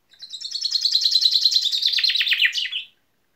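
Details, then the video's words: Common chaffinch song phrase: a quick, rhythmic trill of sharp notes that gradually descends in pitch over roughly two and a half seconds, then finishes with a short, emphatic ending note. No other sounds are heard. "İspinoz sesi"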